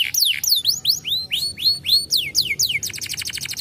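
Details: Canary song for stirring silent canaries: looping downslurred whistles followed by a rapid, even trill of short notes.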